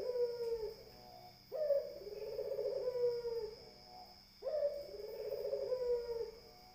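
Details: Spotted dove cooing: long, low, slightly wavering coos, each about a second and a half, separated by short pauses, with a steady high electronic whine throughout.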